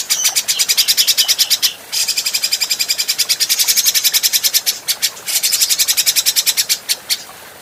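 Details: Adult grey-cheeked bulbul, clean training recording for other birds: long bouts of fast, dry, rattling chatter, about seven pulses per second, broken by short pauses and fading at the end.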